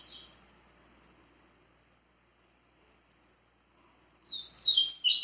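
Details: Vigorous Tui Tui song of a rusty-collared seedeater: a faint note at the start, a long silence, then a loud, fast flourish of high chirps at the close.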